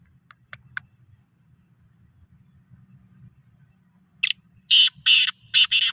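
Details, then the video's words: Black francolin, called a local bird, starts after a few faint ticks and near silence, then gives a loud harsh series of one short and four longer grating, buzzy bursts. "desi kala tatter"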